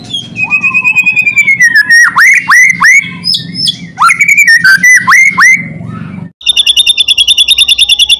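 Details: White-rumped shama singing loudly to provoke other shamas into song: clear whistled phrases with sharp downward-sweeping notes over a steady low hum, ending in a fast, evenly pulsed buzzy rattle.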